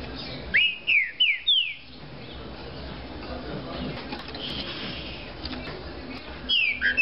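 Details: Green-winged saltator, a spirited singer, gives a short phrase of four clear, downslurred whistles in quick succession, then a long stretch of hiss before two more whistled notes at the end.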